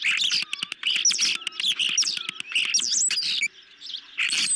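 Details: Ospreys on their nest at night in July 2021, feeding on a medium-sized fish: loud, dense bursts of shrill chirps and whistled notes run together with scraping clicks, then a short lull before more chirping.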